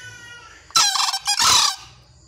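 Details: Loud call of a green junglefowl: two harsh, hoarse bursts about a second long in total, the second part longer and rougher than the first, over a faint buzz of insects.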